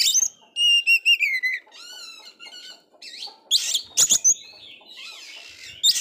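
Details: Oriental magpie-robin that failed its moult, in full voice, song used to provoke a dispirited magpie-robin: a series of clear repeated whistled notes, lower slurred whistles, then loud harsh buzzy bursts around four seconds.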